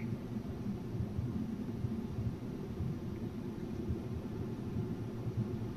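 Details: Low, steady rumble like distant traffic or an aircraft at night, with broadband hiss and no animal calls.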